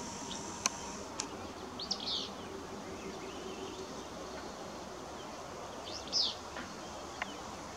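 Willow Flycatcher gives two brief, burry, sneezy phrases about four seconds apart, over a steady background hiss with a few sharp clicks.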